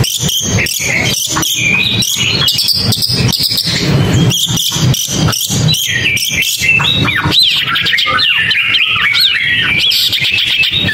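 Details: Long-tailed shrike singing a varied run of squawky and whistled phrases, with notes sliding up and down and dense harsh chatter, over strong repeated broadband clicking or rustling pulses.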